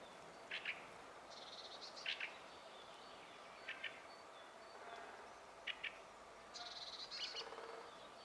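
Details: Fieldfare singing, recorded on a Sony HDR-PJ10E camcorder: short squeaky, scratchy bursts and buzzy chattering phrases spaced irregularly every one to two seconds over a faint steady background hiss.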